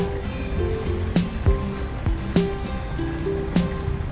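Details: Music plays throughout, with held tones and sharp percussive hits about once a second, and no animal calls are heard.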